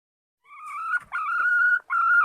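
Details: Red junglefowl hen, a wild forest hen, giving drawn-out, nasal, tonal notes, steady in pitch. Three long calls are separated by brief breaks, with a quiet background.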